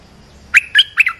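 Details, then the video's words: Olive-winged bulbul call played to train young birds and lure wild ones: three quick bubbly phrases of bright, slurred notes, each under a second apart, against a quiet background. "เสียงนกดอกแตงEp.248 เปิดหัดลูกเสอ ลูกใบ้ เสียงเรียกนกป่า Suara pikat merbah lekir gacor"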